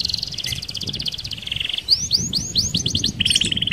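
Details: Canary singing to lure other canaries: rapid high trill, a steady tone, a series of rising swept notes and a closing buzzy roll, with low background rumble.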